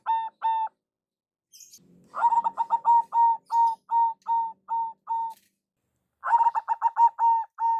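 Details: Local zebra dove lure call: two isolated coos, then a long phrase of rapid staccato notes slowing into steady held notes, followed by the start of another quick run.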